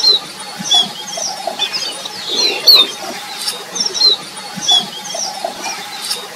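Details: Red avadavat (Amandava amandava) calling while eating: thin, very high chirps, scattered irregularly every second or so, over a soft background of rustling and faint hiss.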